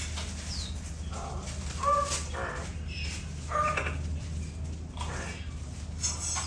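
Greater bird-of-paradise giving harsh, crow-like squawks in four bursts about a second apart, with a few short thin notes, over a steady low rumble.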